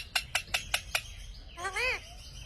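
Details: A pet Indian ringneck (rose-ringed) parakeet talking: five sharp, evenly spaced clicks, then a high, nasal, speech-like phrase with a rising-and-falling tone.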